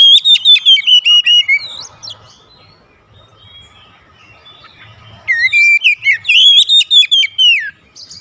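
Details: Kept Oriental magpie-robin, singing actively during daily home therapy: a loud rapid burst of varied whistled notes, a lull with faint chips and low hum, then another strong run of swooping, slurred whistles.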